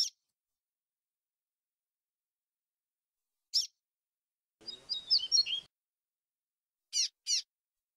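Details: Double-collared seedeater in the flute-like 'grego flautado' song style, recording edited with noise removed: isolated high sharp notes, then a brief warbled phrase of quick twisting whistles, and a closing pair of short chips, with long silent gaps.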